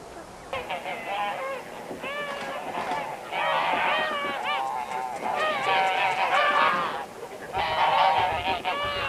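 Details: Around a hundred common cranes gathering at a lake shore in summer 2019 to spend the night: a dense, continuous chorus of overlapping trumpeting and rolling calls, swelling and fading, with a brief pause before another loud burst.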